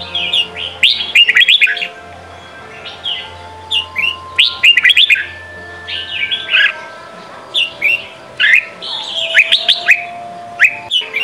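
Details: Red-whiskered bulbul song in the Sông Kon style for training young birds: repeated bursts of loud, bright chirping whistles with swooping slurs, several overlapping voices, and brief gaps between bursts.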